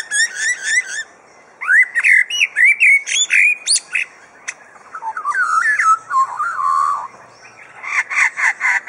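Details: Captive superb lyrebird at Adelaide Zoo performing its mimicry: varied ringing whistles and slurred rising phrases, then a warbling descending run and a harsh chattering burst at the end.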